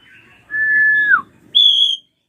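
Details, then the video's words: Drongo, a srigunting krantil, giving a scream used as a lure to provoke young birds into singing: a faint high whistle, then a long level whistle that drops at the end, then a short higher pure whistle. "JERITAN SRIGUNTING KRANTIL RAJA PALING COCOK BUAT PANCINGAN BURUNG BAHAN"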